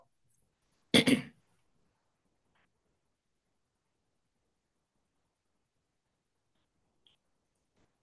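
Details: A single human throat clearing or cough bursts out near the start, followed by almost total silence with a faint tick or two later on.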